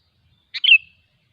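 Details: Single quick phrase from a wild sooty-headed bulbul: a sharp note, then a fluid, bubbling trill that slides slightly down and fades.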